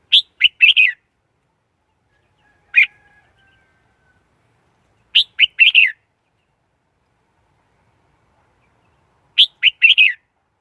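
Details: Red-whiskered bulbul used as a lure bird for trapping wild birds, recorded without background noise: short bursts of three to four bright, chirpy whistled notes, the groups coming every two to four seconds with a lone note between, silence otherwise.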